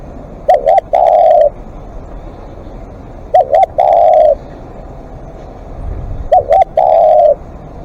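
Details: Decoy spotted dove calling at length: three phrases spaced about three seconds apart, each two brief coos then a drawn-out buzzy coo; a faint low rumble, perhaps traffic, near the end.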